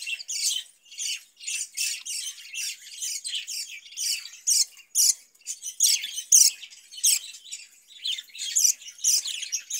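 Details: Budgerigars kept in a cage and fed cucumber in summer give bursts of sharp, high chirps and short buzzy notes, about two per second, with some louder squeaks standing out from the chatter.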